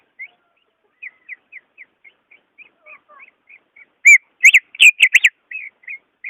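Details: Greater green leafbird singing, used to provoke a caged bird slow to sing: a soft series of short, evenly spaced whistles about a quarter second apart, broken by a loud burst of strong warbling notes, then quiet whistles again.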